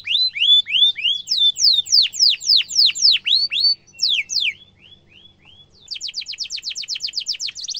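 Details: Canary singing a sharp rolling trill song meant as a tutor for young canaries to copy: rapid downward-slurred whistled notes, about four a second, then a short pause and a dense, fast trill.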